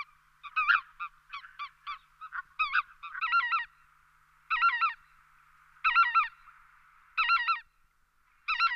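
Lesser white-fronted goose giving high, squeaky yelping calls, first in quick scattered notes, then in paired bursts about every second and a quarter.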